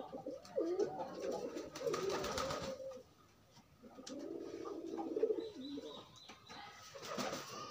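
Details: During pairing, free pigeons coo in courtship: two bouts of deep, bubbling coos separated by a short lull, with scratchy rustling and flapping noises between them.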